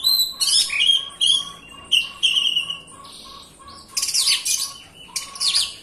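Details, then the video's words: White-rumped shama song played to coax a quiet bird into singing: long level whistles and scratchy chatter alternate with short gaps, ending in a loud burst of harsh, buzzy notes; a soft pulsing low tone continues beneath. "Pancingan Kacer Gacor Rapat, malas bunyi pasti nyaut."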